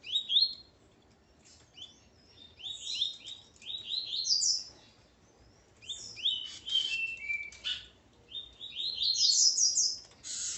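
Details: Double-collared seedeater (coleiro) male with his female: bursts of quick, high, slurred chirping notes, many sliding downward, delivered in rapid runs of several seconds separated by short pauses; faint low background hum.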